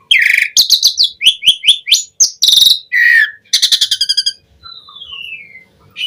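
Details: Black-collared starling song used to tutor caged starlings: quick repeated rising whistles, a harsh rattled burst, rapid stuttering notes, then a thin long descending whistle.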